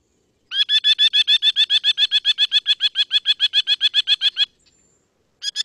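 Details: A Merlin's rapid, harsh chatter, a call usually given in flight, from southern Quebec in spring: high, strident notes about four a second for four seconds, a brief pause, then the chatter starts again.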